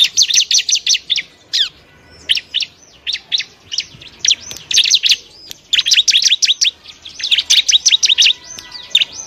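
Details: Bar-winged prinia singing a tutoring song for other birds: clusters of shrill, high chirps, often four to six in quick succession, separated by brief gaps, with a few thin whistles between phrases.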